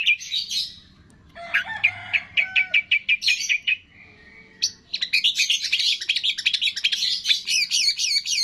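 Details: Long-tailed shrike (cendet) masteran song filled with imitations of cililin, fighting sparrow, lovebird, tengkek and kapas tembak: high shrill chirp bursts, a fast run of evenly spaced sharp notes, a short pause, then a dense rapid trilling stretch.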